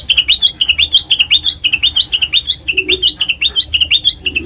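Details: Lively black-crested bulbul song, used as a trapping lure, made of rapid repeated two-part chirps stepping up in pitch, about two per second, continuing steadily and loudly throughout with little background noise.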